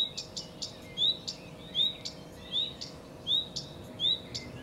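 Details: Song of a common redstart, a clear upslurred whistle followed by a quick twittering ending, repeated several times at roughly one-second intervals, with sharp high ticks between phrases and a faint constant low hum.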